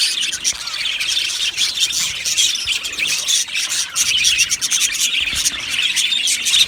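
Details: Aviary colony of budgies singing and chirping together, a busy overlapping chorus of shrill tweets, warbles and occasional squawks that never falls silent.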